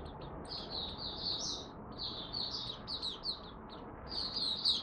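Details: Malaysian white-eye kept as a hobby songbird, giving its first warm-up song of the day, dated 01/08/2023: faint, high twittering phrases of quick slurred notes in short bursts over a steady low background hiss.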